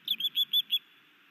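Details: Osprey male at a Missoula, Montana nest, sky dancing and bringing his mate a fish on an afternoon in May 2019; five brisk, high piping whistles delivered rapidly, followed by faint background hiss.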